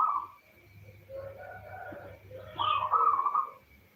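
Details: Female local zebra dove calling for a male, used to lure males into singing; faint purring coo, quiet murmuring, then a clearer rolling coo with quick clipped notes over light background hum.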